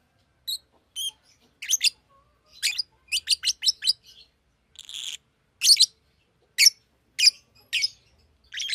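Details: Sharp, high chirps from a Fischer's lovebird, given singly and in quick clusters of two to four at irregular intervals, harsh and squeaky, in a quiet room.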